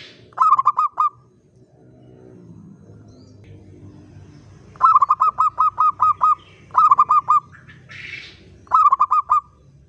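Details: Local zebra dove in full, active song of the common 'uraa' style: four bursts of quick, stuttering coos, one longer run of about seven notes, over a low background murmur.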